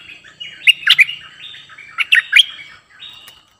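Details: New decoy cream-vented bulbul luring wild birds: two clusters of three or four sharp, bright chirps about 1.5 seconds apart, linked by thin sustained whistled tones, fading out near the end; otherwise quiet.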